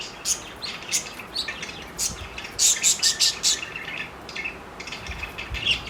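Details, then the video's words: Flirting parakeets, a group of four, give loud bright chirps and squeaky notes roughly two or three per second, rising into a denser rapid burst midway. "parakeet sounds of flirting"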